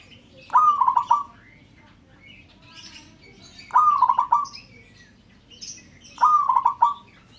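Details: Zebra dove of local stock calling to prompt other birds to sound off, three evenly spaced bursts of rapid, rolling, pulsed cooing notes, about every three seconds, with light chirping of small birds between.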